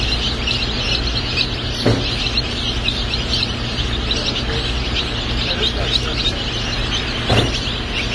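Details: Newly hatching Delaware chicks at a hatchery, a crowd of shrill overlapping peeps running without pause, two sharp clicks or knocks standing out, over a constant low mechanical hum.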